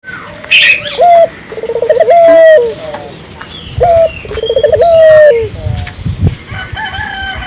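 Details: Barbary dove calling energetically, used to stimulate local doves into calling: short clipped note, then a rolling pulsed trill sliding into a long held coo that drops at the end, repeated twice; faint higher chirps from other birds.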